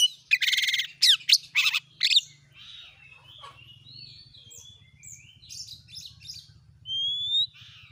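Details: Kacer (Oriental magpie-robin) lure song for a kept bird: loud buzzy, grating bursts and quick slurred notes at first. Then come softer scattered whistles, a low hum beneath, and one clear rising whistle near the end.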